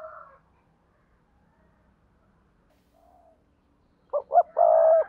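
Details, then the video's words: Spotted dove decoy from Đồng Nai, Vietnam, calling in giọng đôi style to draw wild birds: a faint coo fades at the start, then after quiet a single four-part phrase of two quick notes and a long mellow coo. "Tiếng chim cu gáy mồi kích bổi gáy gọi giọng đôi/ chim cu gáy đồng nai"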